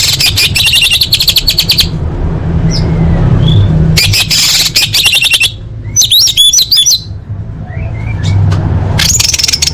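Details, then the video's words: Orange-headed thrush song used as a lure to get caged birds singing: bursts of rapid clicking notes, then a pause and a second fast burst, followed by looping whistles, all over a steady low rumble. "Pancingan Anis Merah Paling Efektif: Meningkatkan Gacor & Kualitas Suara Burung!"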